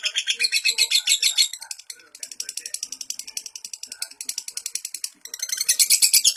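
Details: Lovebird song used to train young lovebirds: bursts of high, rapid chattering interrupted by two brief gaps, the trilling returning louder and harsher at the end.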